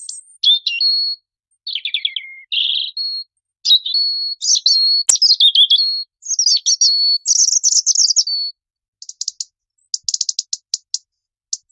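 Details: European robin singing in Spain: varied high, thin phrases of trills, warbles and sharp notes, some descending, delivered in bursts with brief pauses, ending in fine high rattling notes; no other sounds.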